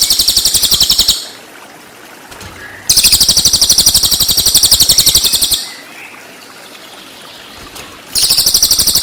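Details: Cililin song used as master tutor material for training white-rumped shama: rapid high trilled bursts of about four notes per second, each burst lasting one to three seconds, separated by quiet gaps.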